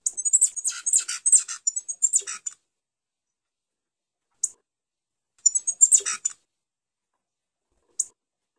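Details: A grey pileated finch (Coryphospingus cucullatus) sings high, thin, rapid twittering phrases of about two seconds, separated by pauses and single sharp chips.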